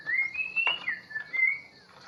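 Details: Long-tailed White-rumped Shama of the Bahorok type, newly taken from the forest, giving clear whistled phrases that rise and hold, broken by a short sharp click, then a second level whistle in a quiet setting.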